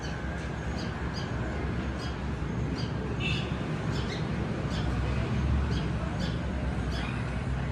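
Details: Sparrows on a balcony give short, bright chirps, repeated irregularly about once a second, over a steady low rumble of traffic-like background noise.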